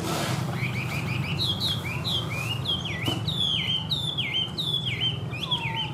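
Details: Caged, hand-tamed Chinese hwamei singing loud, varied whistled phrases, each a quick run of rising and dipping notes, strung together almost without pause; a low steady hum runs underneath.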